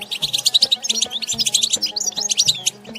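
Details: Nature recording of a European goldfinch in batbata song: fast, liquid twitters and sliding high notes in quick bursts, barely pausing, with a quiet low droning tone and faint knocks underneath.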